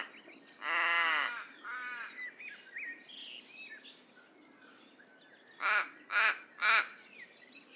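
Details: One long grating raven call, then after a pause three short clipped caws in a fast run, with scattered bird chirps in between.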